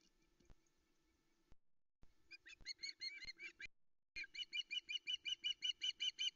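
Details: Misty early morning at the Loch Arkaig nest, 13 August 2020. The female Osprey waits for fish. After a quiet start she gives piercing chirps that settle into an evenly spaced series, about three notes a second.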